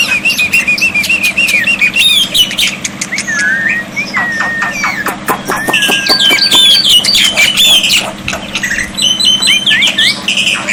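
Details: Varied black-winged myna song meant as a tutor to prompt silent birds, with water therapy. Bright twisting whistles mix with harsh squawks, clicks and a drawn-out falling whistle. A steady low hum sits underneath.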